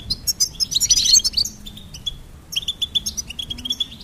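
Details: Goldfinch twitter opening with a tangled burst of bright, jangling notes, then a pause and a brisk series of clipped, evenly spaced chirps.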